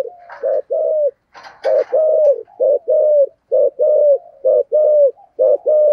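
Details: Spotted dove used as a decoy bird, singing in the prized deep 'thổ' voice style: repeated low cooing phrases, each a short note followed by a longer falling coo, roughly one phrase per second, with a brief higher chirp from another bird.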